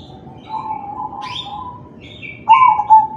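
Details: Crossbred zebra dove, kalung tempuk style, singing to encourage other doves: a soft low coo drifts through the first half among other birds' chirps, then a louder rolling coo phrase with two pulses closes the clip.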